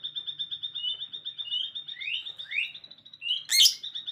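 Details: Afternoon birdsong: a fast run of high, even-pitched pulsed notes broken by several quick rising slurred whistles, then a sharp bright burst and a final upward sweep.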